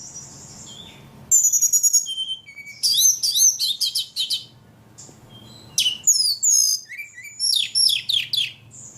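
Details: After a soft opening, a ledekan bursts into loud, high, rapidly modulated phrases of stuttering trills and downward sweeps, pausing twice before resuming with chirpy notes.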